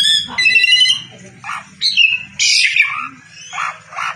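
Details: Asian pied starling in lively song, harsh buzzy chatter mixed with short whistles and squeaky notes in uneven bursts, over a low droning hum.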